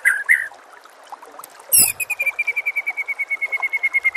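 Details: White-rumped shama recording for training captive birds: a short burst of slurred notes, a pause with faint background, then a sharp note followed by a long, even series of bright repeated notes, about six per second.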